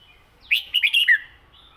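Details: Caged red-whiskered bulbul singing a southern Thai-style song phrase: a quick run of four loud, warbled, bubbling notes in under a second, ending on a clear falling whistle, against a quiet background.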